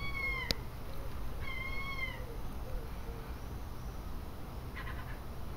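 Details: Seagull in an English seaside garden giving two drawn-out, slightly falling mewing calls about a second apart, followed by fainter distant calls and a brief clatter against a low outdoor rumble.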